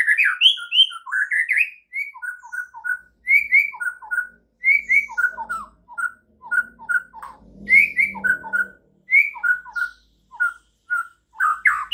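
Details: Morning training song of a white-rumped shama, meant to stir other shamas into vigorous singing: loud, rich whistled phrases, each a quick rising and falling flourish, repeated steadily with short pauses throughout.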